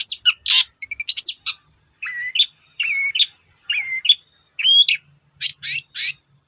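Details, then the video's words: Long-tailed shrike singing to provoke other shrikes to join in: scratchy chatter, then a run of short clear whistles that rise and dip, ending in fast buzzy bursts, with long quiet gaps between phrases. "Burung cendet gacor Bikin cendet bahan terpancing ikut gacor"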